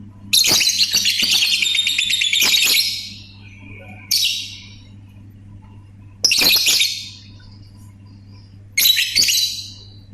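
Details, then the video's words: Lovebird giving ngetik chatter mixed with ngekek: harsh, broadband bursts of rapid clicking and buzzy squawks, each lasting one to three seconds, separated by short pauses, with a steady low hum behind. "BURUNG 🐦LOVBIRD SUARA NGETIK TAMBAH NGEKEK"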